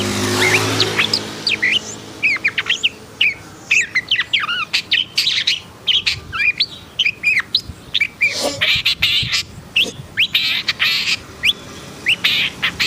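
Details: Long-tailed shrike in an agitated mood, giving a dense, continuous stream of chattering notes: quick rising and falling whistles interleaved with scratchy, noisy bursts, with a low hum underneath.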